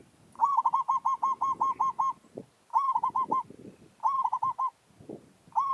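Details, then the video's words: Village zebra dove used in a luring session to challenge wild doves: rapid bursts of soft, rolling coos near one pitch, several rippling phrases in a row, with knocking and rustling noises beneath. "Merbok kampung - Anggar buat hal..pijak tak jatuh. Burung hutan siap bagi tandang."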